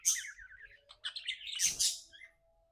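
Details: Happy pet budgerigar chirping: a rapid, scratchy warble of short twittering notes between 2 and 8k, broken by bright clicks and a burst of broadband chatter, with a faint steady low tone in the background.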